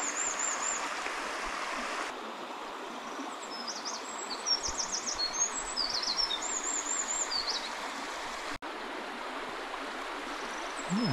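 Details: Eurasian wren singing by a mountain stream at Takao, Japan, on 30 March 2024: high, thin notes and rapid trilled bursts rise faintly above the steady rush of water.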